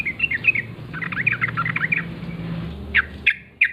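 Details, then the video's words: Yellow-vented bulbul, a wild bird recorded in the morning, gives lively, gurgling chirped phrases, then three short, sharp separate notes near the end, with a low hum underneath. "trucukan gacor ngalas pagi hari suara khas trucukan liar"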